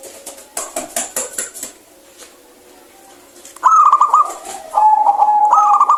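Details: Clear-voiced local zebra dove, played to coax reluctant birds into song: after rustling, flapping-like thumps, loud rolling trilled cooing begins, followed by a steady held coo and another rising trilled phrase.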